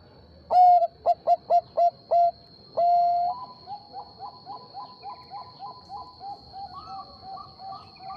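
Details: Zebra dove, Bangkok type, singing in answer to a rival: loud mellow coos in a quick run of six short notes, a long held note, then a softer answering series of about eleven quicker coos, with a steady high background tone.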